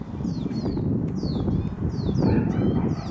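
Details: Begging by two young lesser goldfinches calling to a parent for food outside a house: clusters of sharp, high, falling whistled notes, paired and repeated, with constant low rumbling noise beneath.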